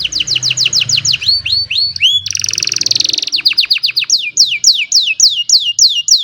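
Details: An old canary sings on a sunny morning: rapid series of descending whistled sweeps, a dense buzzy rattle, then more repeated falling notes in steady rhythm, over faint low background noise; recorded by cellphone.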